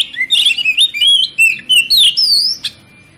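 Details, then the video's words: Kacer song played to provoke other kacer into singing: a rapid run of varied high whistles, slurred rising and falling notes and sharp chips, with a faint low hum beneath. "PANCINGAN KACER PALING AMPUH MERANGSANG KACER LAIN AGAR LANGSUNG BONGKAR ISIAN"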